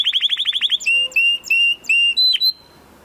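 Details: Canary song opening with a rapid run of repeated trilled notes, then a sequence of long, steady, piercing whistled notes held about a third of a second each.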